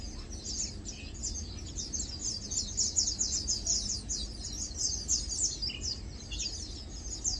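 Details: Several Lowland White-eyes feeding and preening, keeping up dense, overlapping high chips and twitters throughout, plus an occasional lower chirp near the end.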